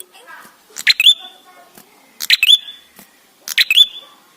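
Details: Ashy tailorbird song, used as a lure to prompt singing. Three phrases at roughly 1.3-second intervals, each with harsh clicking notes and a climbing whistle that settles into a sustained tone. Soft, low background sounds fill the gaps.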